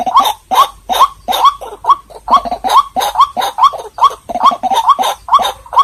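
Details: Recording of a White-breasted waterhen for luring birds: a steady chain of about fourteen nasal, grunting notes ending in upward squawks, spaced close to half a second apart.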